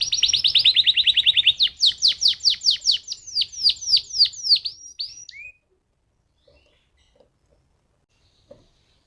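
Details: Canary song used as a lure to prompt other canaries to sing: a rapid, loud, high trill of repeated notes, then a run of slurred descending whistles and one rising note, followed by silence with faint clicks.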